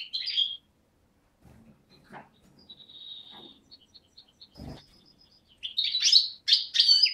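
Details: European goldfinch, young of 2011 from Beni Snassen on the Morocco–Algeria border, recorded 8 January 2012: a short chirp, quiet thin high notes amid low knocks and thuds, then loud twittering bursts at the end.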